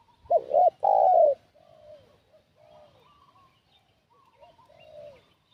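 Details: Spotted dove decoy call used to lure wild doves: one loud phrase of two short coos and a long falling coo, followed by softer distant cooing and faint chirps.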